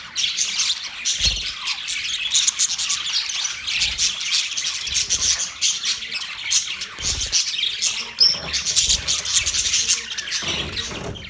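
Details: Budgies chirping together, recorded November 19, 2023: a busy flock of rapid, buzzy chatter and harsh squawks running throughout, a brief upward whistle around the middle and occasional low thumps beneath.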